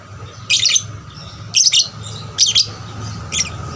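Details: Caged lovebird singing to stir other lovebirds into song: four harsh, squeaky bursts of rapid chirping about a second apart, each lasting roughly a quarter second, over a steady low hum.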